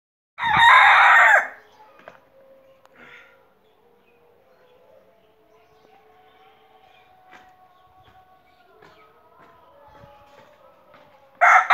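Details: Rooster crowing: one loud, harsh crow burst lasting about a second, followed by a long stretch of faint tonal sound and low background noise, then the start of another loud crow at the very end.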